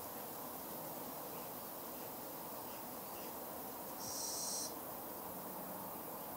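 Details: Little Owl fledgling giving one loud, high, hissing screech lasting over half a second after a stretch of near silence, with a faint low tone afterwards and steady hum throughout.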